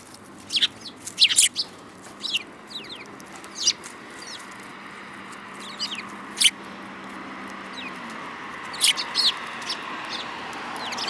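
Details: Sparrows, several together, in March 2018: scattered clusters of bright, high chirps and short slurred notes come every second or two over a steady low hum.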